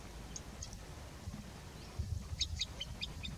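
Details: A Green sandpiper wintering in autumn at an irrigation pond by the Tiétar gives thin, high whistled notes, a couple early on, then a quick run of repeated clear notes, over a steady low rumble of wind.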